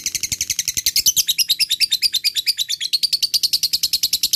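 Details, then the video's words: Lovebird fighter ngekek, a bait song for birds that rarely call: steady, shrill, fast-pulsed chattering with slightly wavering pitch for over four seconds. "pancing love bird malas bunyi,lovebird fighter ngekek gacor"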